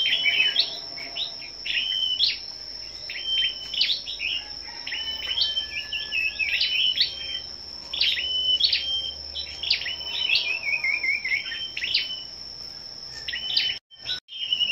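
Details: Gathered scarlet-backed flowerpeckers in a morning singing contest dated 10/05: repeated high ticks and brief flat whistles, one falling trill near the middle, constant thin background whine and two brief dropouts near the end.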